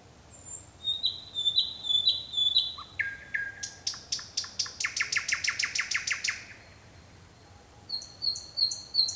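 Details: Night song of a nightingale: paired high whistled notes repeated several times, a lower slurred note, then a long rapid run of hard, buzzy repeated notes, a pause, and more thin high whistles.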